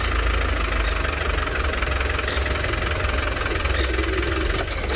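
A vehicle engine idles steadily with a low knocking rumble and broad hiss, and no animal calls stand out.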